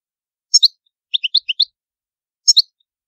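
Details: Goldfinch, old Palermo Sicilian style, with no background noise: a sharp doubled high note, a run of four quick liquid chirps, then the doubled note repeated after about a second.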